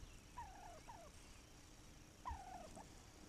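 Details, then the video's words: Wild turkey on May 7, 2021: two bursts of rapid, wavering notes that drop in pitch, one just before the half-second mark and another near two and a quarter seconds, set against quiet low background hiss. "Wild Turkey"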